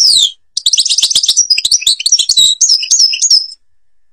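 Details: European goldfinch from Algeria singing: a downslurred whistle, a brief pause, then a rapid, tinkling run of high twittering notes and liquid trills that ends in a few clear repeated whistles.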